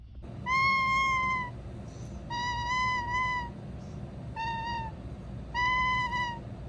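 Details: Happy honking from a pet toucan: four drawn-out nasal honks about a second long, spaced roughly every one and a half seconds, against a constant low room rumble.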